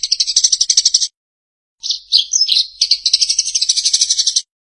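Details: Eurasian tree sparrow, used as master audio for teaching songbirds to imitate. A fast burst of bright chirping stops, then after a brief silence mixed twittering notes build again into quick repeated chirps.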